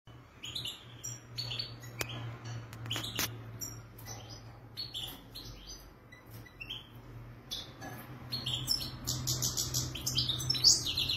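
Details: European goldfinch from Morocco singing in a bright, varied twittering run of high notes and trills that grows louder toward the end, over a steady low hum.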